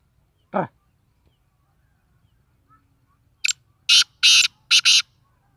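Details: Black francolin (kala teetar) calling: a single short rising note, a pause, then a rapid run of four harsh, grating, broadband bursts packed into about one and a half seconds, with a quiet background.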